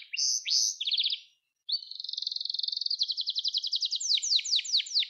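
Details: Domestic canary singing, a recording meant for training young birds: a few quick chirped phrases, a short gap, then a long accelerating trill of repeated notes sweeping downward at the end.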